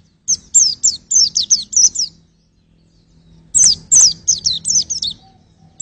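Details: White-eye twittering for vocal testing: two bursts of fast, high, thin chirps, each lasting over a second, split by a quiet pause of about a second and a half.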